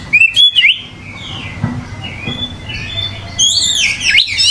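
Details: Oriental magpie-robin in lively (gacor) song: bright rising and falling whistles open the phrase, quieter thin notes follow over a low hum, then a loud burst of tumbling, sliding whistles ends it.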